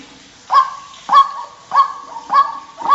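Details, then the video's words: White-breasted waterhen call used as a lure for trapping the birds in rice fields and small streams, Indonesia: loud nasal honking notes with a harsh start and level tone, repeated roughly every 0.6 seconds. "suara pikat burung ruak ruak cocok untuk mikat di sawah dan sungai kecil"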